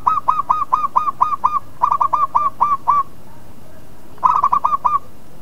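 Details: Local zebra dove cooing, played to provoke rival birds into answering: fast series of short, mellow, bubbling coos in three bursts, each of about six to eight notes, with a steady background hiss.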